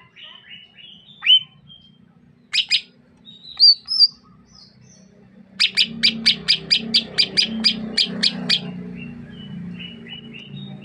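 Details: Greater green leafbird of the Sukamade (Meru Betiri) type from Banyuwangi, East Java: thin high whistles and sharp twitters, then a rapid burst of about a dozen clipped chips, followed by soft whistles over a low hum.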